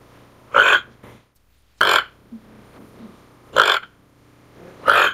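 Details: A toco toucan (Ramphastos toco) gives four harsh, rasping croaks, each brief and spaced about one and a half seconds apart, against a quiet background.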